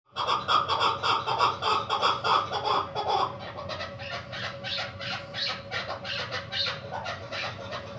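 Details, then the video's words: Female chukar partridge kept in a cage for one month, used for hunting: rapid series of harsh chuck notes about three per second for three seconds, then softer, higher, scattered notes. "madi k shikar ka chakor 1 mhina howa hia pinjera ma krklik seso"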